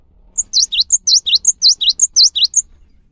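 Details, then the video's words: A cinereous tit's song, meant to prompt other cinereous tits to sing, with bright, high paired notes, a flat whistle then a dipping swoop, repeated rhythmically about seven times in under three seconds against a faint low hum. "PANCINGAN GELATIK BATU | GELATIK BATU LANGSUNG GACOR SETELAH MENDENGAR INI"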